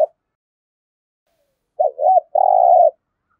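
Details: Spotted dove in Đồng Nai, Vietnam, giving competition 'thúc gù' cooing: after a long silence comes one phrase of two quick hooked notes and a sustained low coo.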